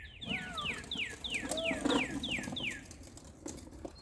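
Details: Northern cardinal recorded on 25 March 2020 singing a rapid series of about nine clear whistled notes, each sliding steeply downward, delivered evenly at roughly four per second, with faint background hiss.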